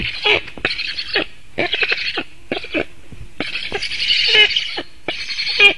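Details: A black stork nestling in Latvia begs as the adult male lands to feed it, August 2018, nest webcam: grating, buzzy rasps, some short and some drawn out, repeated about once a second.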